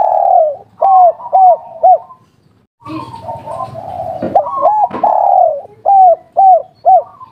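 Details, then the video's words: Spotted dove (derkuku) with a local kuk-3 style voice: repeated low hollow coos in short groups, some drawn out, with a burst of rough noisy sound through the middle. "Derkuku kuk3 lokal gacor ngamuk suara empuk"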